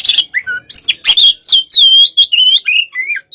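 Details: Oriental magpie-robin (kacer), aggressive 'hot type' sparring song: loud, fast run of clear whistled notes, some slurred downward and some rising, with brief harsh bursts in between. No other sounds.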